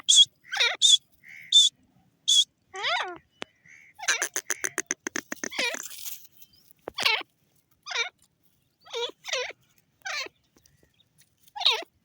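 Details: Grey francolin, known as teetar, calling with shrill notes and some downward-sliding squeals. A rapid rattling burst comes in the middle, with quieter gaps between the calls.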